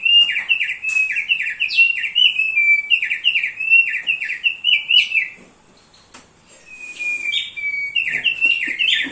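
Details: Training-master song of a thick-billed heleia, delivered without pause: repeated rippling phrases of quick downslurred whistles, a short quiet break, then the chirping resumes.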